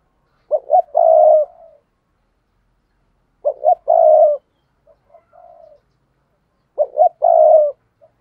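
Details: Spotted dove cooing as a lure for wild doves, repeating the same phrase three times about every three seconds. Each phrase has two clipped rising notes and a long, steady coo, with softer notes between.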